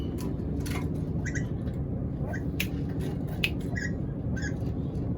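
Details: Black-capped lory, hungry and begging for food, giving short harsh squawks scattered through the clip, some doubled, over a steady low rumbling background hum.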